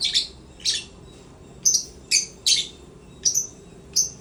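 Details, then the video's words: Lovebirds, African, during playtime in a happy mood: brief shrill chirps repeated roughly every half second to second, each a sharp high squeak, steady and evenly spaced. "African love birds sound #happy mood #playtime"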